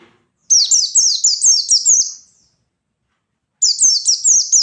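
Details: White-eye from the wild, singing to lure and provoke rivals, gives a loud high twittering burst of fast falling notes, silence, then another burst begins.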